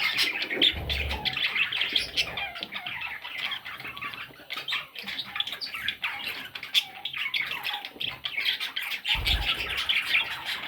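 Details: Several young parrot chicks keep up constant scratchy, high-pitched chattering squawks, with brief sharper chirps and a couple of dull low knocks.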